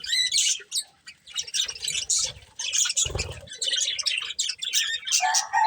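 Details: Budgies in a breeding pair chirping during a meal: choppy bursts of scratchy chatter broken by brief pauses, a low thump midway, and a short lower whistled note at the end.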